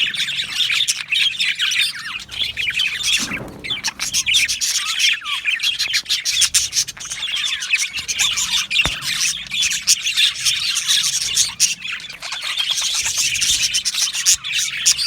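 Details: A colony of Australian budgies in an aviary chattering together: a thick wall of high chirps, tweets and warbling twitter, with a brief louder rushing burst near the fourth second and sharp clicks throughout.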